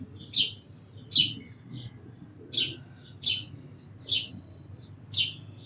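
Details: Six crisp sparrow chirps with irregular gaps, high and short, with faint softer twitters in between.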